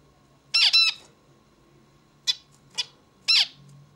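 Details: A zebra finch gives a loud nasal double buzz, then after a pause two short sharp chips and another harsh buzzy note, in a quiet indoor setting.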